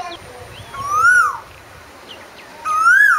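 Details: Two strong Asian koel notes, each a drawn-out whistle rising steadily before breaking off, about one and a half seconds apart.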